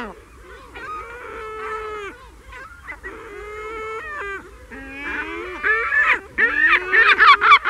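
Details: Herring gull in a colony giving long, plaintive mewing wails, steady then sliding down. They are followed by a quickening run of loud, strident yelps, with nearby gulls audible.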